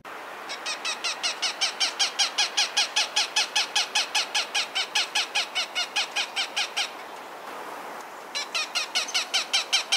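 A Cooper's Hawk gives a long, steady series of harsh, nasal cack notes, about two or three per second, pausing briefly before resuming.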